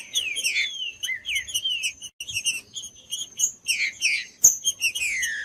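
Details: Green-winged saltator (trinca-ferro) song for stimulating cold caged birds kept for song tournaments: rapid, dense run of clear whistled and slurred notes, many sweeping downward, with sharp high chips mixed in and a brief click near the end.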